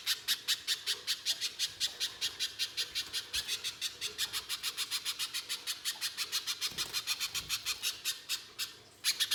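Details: Pijantung pisang spiderhunter chattering as a lure for other spiderhunters: a long, even series of sharp, dry chips, about four per second, with a louder burst at the end.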